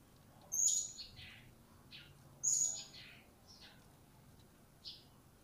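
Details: Newly acquired blue-crowned hanging parrot starting to call: two sharp, high shrill notes about two seconds apart, each trailing into softer descending chirps, over a faint hiss.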